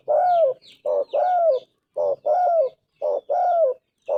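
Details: Tekukur, the spotted dove, sings its golden-voiced coo, a short note then a long mellow descending one, roughly every 1.2 seconds, with occasional thin high chirps of small birds.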